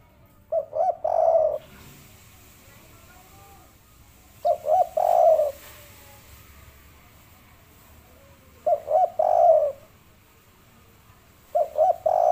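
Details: Spotted dove (tekukur) giving 'kuk 3' phrases to coax other birds to sing: four short clusters of low, mellow coos, each roughly four seconds apart, with soft background hiss between.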